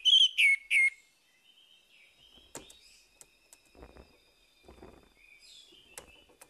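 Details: Morning song of an orange-headed thrush, meant to coax a bird that has stopped singing: three loud, clear whistled notes with downward slurs open the recording, followed by faint scattered clicks and soft background noise.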